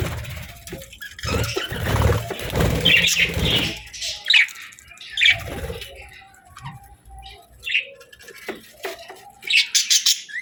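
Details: Budgerigars twittering in scattered bursts: rough chatter early on, then sparse short chirps and squawks spaced apart over a quiet background.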